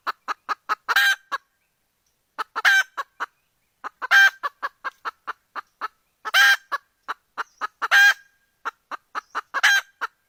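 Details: A hen calls out for a rooster in rapid bursts of short clucks, each burst capped by a loud, strained, rasping squawk. The pattern repeats about every one and a half to two seconds.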